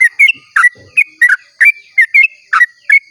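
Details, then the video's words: Sooty-headed bulbul in long dawn song meant to prompt other bulbuls to sing: lively chain of short, fluty whistled notes, often paired, delivered rapidly and unevenly, with a faint low rustle. "pancingan trucuk ropel panjang cengkok termerdu saat subuh !! pancingan KICAU SUARA trucuk GACOR"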